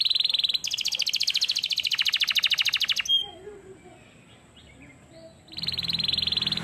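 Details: Canary training song: a strong buzzy trill of rapid pulses lasting about two and a half seconds, a quiet pause, then the trill starting again.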